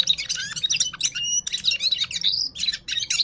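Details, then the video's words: Parachinar Gulsar in vigorous song, bursts of quick chirps and scratchy notes broken by brief pauses, including one clear steady whistle and a rising slurred phrase. "Gulsar singing parachinar Himalayan top bird full power sings"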